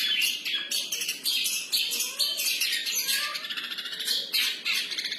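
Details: Long-tailed shrike (cendet) singing in free style, a fast, dense run of harsh scratchy notes and chattering phrases mixed with brief whistles, sustained without pause throughout.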